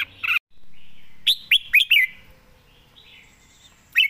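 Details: Red-whiskered bulbul, a caged bird singing diligently, gives bright, bubbly whistled song: a quick run of four slurred phrases, then a lone note after a pause, over a faint low hum.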